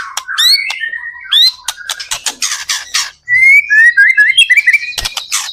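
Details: Song of a white-rumped shama used as a lure to get other shamas singing: dense harsh chattering and buzzy notes, then a bright run of quick rising and falling whistles.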